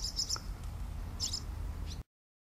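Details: Barn swallow (Hirundo rustica) call at a nest where the parents guard their young through to fledging: short, high, sharp chirps in three quick bursts about a second apart, over a steady low rumble.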